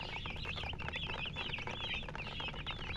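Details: Baby chicks chirping constantly, several birds giving rapid high peeps in an unbroken overlapping stream, with steady low background noise.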